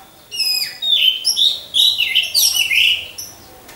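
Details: Orange-headed thrush in a hanging cage beside others, sung as a lure: short, bright slurred whistles and chirps in quick separate bursts, several notes sweeping down, with quiet background noise.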